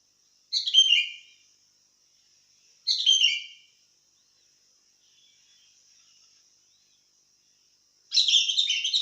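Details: Sooty-headed bulbul singing actively: three short bursts of bright, chattering notes that slur downward, about two seconds apart, with quiet gaps between them. A steady high hiss runs underneath throughout.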